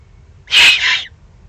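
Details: A two-part rasping hiss, the second half slightly weaker, from an excited juvenile Eurasian eagle-owl in the Eifel, Germany, on 21 June 2020.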